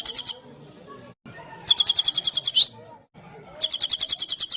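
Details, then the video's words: Parachinar Himalayan goldfinch singing for a female goldfinch: three bursts of quick, rattling high trills, each of about ten to twelve even notes, the middle one ending in a buzzy slur, with quiet gaps between. "The best himalayan gold finch singing of parachinar top bird"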